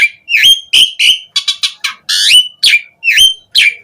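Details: Asian pied starling song, used as a lure for other starlings: loud swooping whistles alternating with short rasping, buzzy notes in a rapid sequence.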